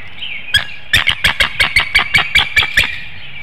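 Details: Incubating female bald eagle at the end of her night shift on a nest in Hanover, Pennsylvania, early morning of 25 March 2019, beckoning her mate for a changeover: a rapid run of about ten piercing, chattering notes over a faint bird chorus.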